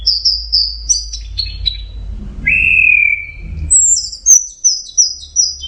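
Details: Teler song from an orange-headed thrush (anis merah): repeated high chirped notes, a lower sustained buzzy whistle, then a rapid series of very high repeated notes over a faint low hum.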